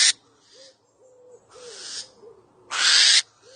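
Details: Two barn owls (Tyto alba) discover a hidden camera spying on them, get very angry and destroy it: three loud, harsh, rasping screeches and hissing bursts over a few seconds, faint low tones between.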